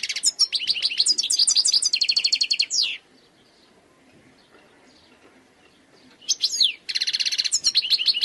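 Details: Khalwi wild European goldfinch song: a long run of rapid twitters, clipped notes and a dry buzzing trill, a quiet gap of over three seconds, then sweeping whistles and another buzzy rattle.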